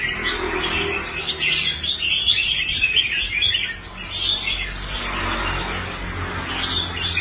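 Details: Red-whiskered bulbul kept in a cage, restored after quitting fights, performing on a competition rack. Busy chattering warbles run almost continuously, pause briefly near the middle, then resume. Faint low background hum.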